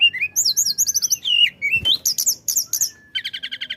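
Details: Flycatcher giving rapid, varied song to stir other birds into singing: repeated looping whistles, rising slurs and buzzy bursts, ending in a fast, even trill.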